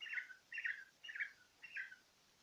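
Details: Cockatiel looking at itself in a small mirror, giving four short, harsh chirping squawks spaced about half a second apart, fairly quiet in a small indoor room.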